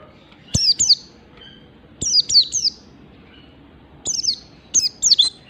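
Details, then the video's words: Ngalas standar song of a Mountain white-eye: clusters of two or three very high, sharply descending chirps, repeated about every two seconds against a quiet background. "pleci merapi ngalas standar"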